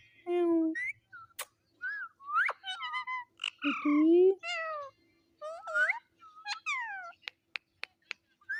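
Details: Pet talking parrot repeating a short word in a sweet voice, with meow-like imitations: varied harmonic syllables, some rising and falling, broken by sharp clicks and brief pauses.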